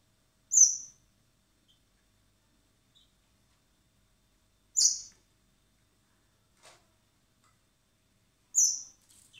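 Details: Hand-reared common blackbird chicks, fed in spring at a wildlife recovery centre before being freed: three sharp, very high squeaks about four seconds apart, with a faint click between.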